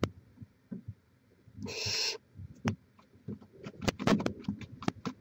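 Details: Barn owl at a nest in Chula Vista, California, live camera, 18 May 2017: a single half-second raspy hiss, followed by a flurry of clicks, taps and rustling.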